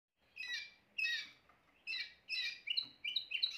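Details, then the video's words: Timbrado canary singing in short separate bursts, four rolling phrases about half a second each with pauses between, then quicker clipped trill notes toward the end. "meilleur chant canari l chant canari timbrado"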